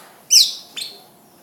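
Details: Greater green leafbird, called cucak ijo, giving a sharp, bright chirp that slurs downward, followed by a softer second note, in an otherwise quiet setting.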